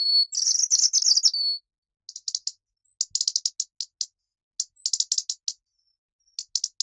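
A robin gives a long high scratchy burst, then clusters of quick, thin, high chips in irregular groups; nothing else is heard.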